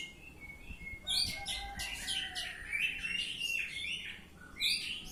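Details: Ngeplong song of an Oriental magpie-robin: after a brief quiet start, a continuous run of rich whistles sliding down and up, mixed with buzzy high chatter, ending with another sharp burst.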